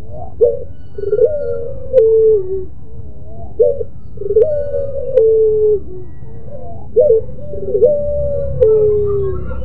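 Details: Domestic pelung-type dove singing its melodious moaning, crying-style coo: low, mellow phrases, each a short rise then a sustained, slightly falling note, repeated about every three seconds over a steady background hum.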